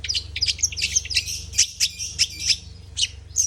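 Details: Long-tailed shrike singing a fast string of sharp, high chirps and short trills, about four notes per second, over a low steady hum.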